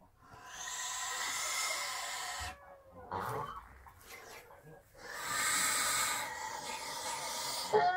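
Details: Russian Kholmogory geese protecting their offspring against birds of prey give harsh, noisy hissing calls with rough harmonics in two long bursts separated by a quieter stretch of scattered sounds.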